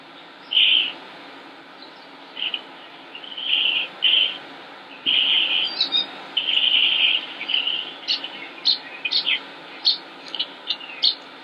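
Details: Northern mockingbird, a male, singing in Concord, North Carolina, United States, on 25 May 2016: varied bursts of buzzy and whistled phrases around the upper mid range, changing quickly from one pattern to the next, with a steady faint hum underneath.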